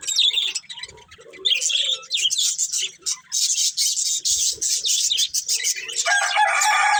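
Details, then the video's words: Budgerigar breeding pair chirping with continuous high, gritty warbling chatter, some lower mid-pitched notes early on, and a steady hissing noise building toward the end. "Cute Budgies Chirping Sounds"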